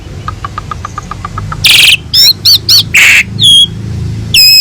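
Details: Asian pied starling on a master recording meant as a vocal tutor for other birds: a run of soft evenly spaced pips, then loud harsh rasping bursts mixed with bright whistled notes.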